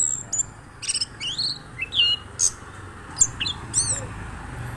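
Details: Orange-headed thrush (anis kembang) in lively rolling song: scattered whistled notes, upward slurs and brief high buzzy bursts separated by short pauses, with a faint background hum.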